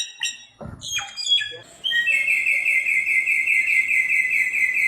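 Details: Wild samyong, or bare-throated whistler, starting with scattered sharp notes and low knocks, then a long even rapid trill of whistled notes held for several seconds.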